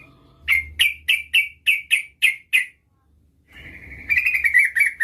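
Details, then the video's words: Yellow-vented bulbul female calling to attract a male: eight separate clear chirps at an even pace, a short silence, then a denser, quickly rattling phrase of notes. "Suara burung trucuk gacor memanggil lawan pancingan trucukan betina memanggil jantan agar bunyi"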